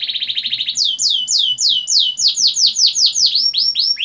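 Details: Lure song of a canary for training young birds: a fast buzzy trill, then a steady run of ringing downslurred whistles, about four per second, growing quicker near the end.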